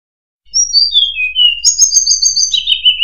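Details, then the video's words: Murai buluh, or tledekan, singing clear whistled notes that step downward in a descending cascade, then a second, brighter falling run with a slight trill, very loud against a silent background. "Burung Murai Buluh | Tledekan"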